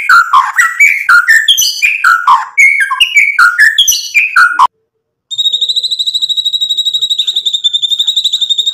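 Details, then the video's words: White-rumped shama in vigorous song, used to goad other birds into answering: a string of downslurred whistled notes, a short silence, then an even, high, rapidly pulsing trill. "MURAI BATU GACOR bikin EMOSI Langsung NYAUT BUNYI BONGKAR MATERI ISIAN"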